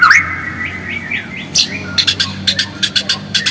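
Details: White-rumped shama song used as a lure to provoke singing: a few clear whistled slurs, then a brief gap and a rapid series of sharp clicking ticks repeated several times.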